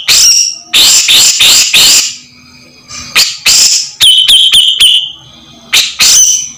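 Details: Grey-cheeked bulbul song used as a master recording for training songbirds: loud bursts of harsh, buzzy notes, then a run of sharp high chirps over a sustained whistled tone, then more harsh bursts.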